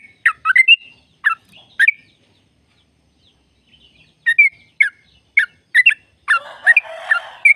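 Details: Sooty-headed bulbul, a lure recording for caged birds. Bursts of gurgling, chirpy notes come in two groups split by a few seconds of silence, ending with a harsh, noisy rasp under the last notes.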